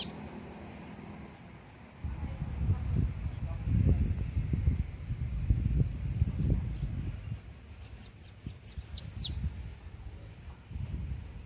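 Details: Bananaquit singing a belga-style song: a quick burst of about seven very high, thin, downslurred notes lasting under two seconds, heard once over strong low rumbling noise.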